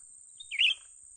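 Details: A single brief, bright, downward-sliding chirp from a young bulbul (cucak ranting) being lured for trapping, set against a steady high whine.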